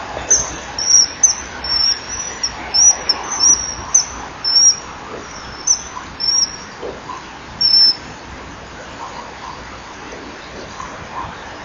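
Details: Common kingfisher male arriving calling at the rear perch by a nesting wall, recorded 21 January 2012 at 10:16. A run of sharp, piercing high whistles, paired or single, comes roughly every half second, then spaces out.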